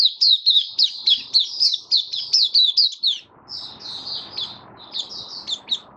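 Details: Caged white-eye singing openly, 23 March 2022, fed for warm humid weather: a quick string of evenly spaced high chirps, about four a second, then softer, drawn-out notes over a faint background hiss.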